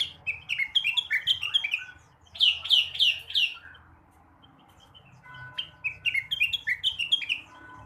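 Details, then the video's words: Blue-winged leafbird singing in the morning to stimulate other birds: loud, varied phrases of quick downslurred whistles and chirps in rapid runs, with a brief pause and steady tonal notes beneath the later phrase. "kicauan rengganis atau cucak wilis di pagi hari. cocok buat merangsang burung bahan"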